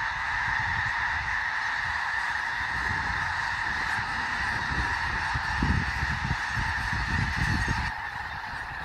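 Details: A huge flock of snow geese on Fir Island near Mount Vernon, Washington, settling for the night with a dozen bald eagles on the ground nearby, keeps up a dense din of high, nasal honks and yelps over low rumbling.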